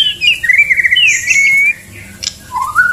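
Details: Male white-rumped shama singing to a female in courtship: a smooth flowing whistled phrase gliding down and up, then a pause and a short rising whistle.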